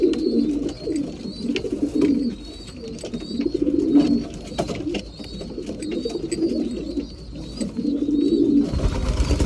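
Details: Breeding pigeons at mealtime, indoors: overlapping low, rolling coos swell and fade in bursts about every two seconds, with thin high squeaky whistles and scattered clicks and scuffles above.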